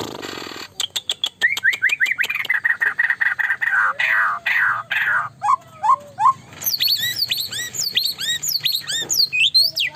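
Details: Extremely active white-rumped shama, claimed to drive competitors to anger: a quick series of ticking notes building into rich slurred phrases and a low sliding whistle, then a long stretch of fast, bright arched notes.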